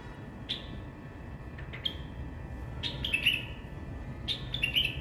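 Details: White-eared bulbul singing: short whistled phrases of bright, slightly falling notes, given in spaced bursts about every one to two seconds over a steady low background hum.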